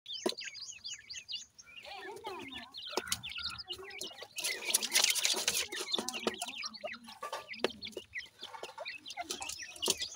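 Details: Pakistani black francolin chicks, known locally as dakhni teetar, in captivity while feeding: a busy chorus of high, thin, down-slurred peeps from several chicks, with pecking taps and a brief rustling burst midway.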